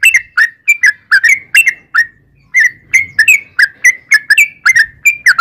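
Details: Trucukan, the yellow-vented bulbul, in full song for luring other birds: an almost continuous run of liquid, gurgling whistles, dipping then rising, with one brief pause near the middle.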